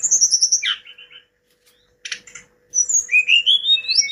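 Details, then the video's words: Singing Hill blue flycatcher (tledekan gunung): a high sweet warble dropping into a short trill, a pause, a brief buzzy note, then a rising series of thin whistled notes, over a low hum. "Si gacor moncor,TLEDEKAN GUNUNG istimewa"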